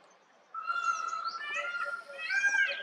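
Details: A peafowl in a forest gives a loud, nasal, drawn-out wail lasting about two seconds, swelling and rising slightly near the end, over faint background hiss.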